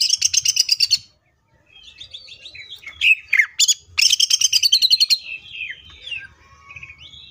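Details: Greater green leafbird in full 'tembakan' song, opening with a rapid run of about ten sharp repeated notes, then mixed whistles and harsh chips before another fast rattling burst that slides into descending whistled notes.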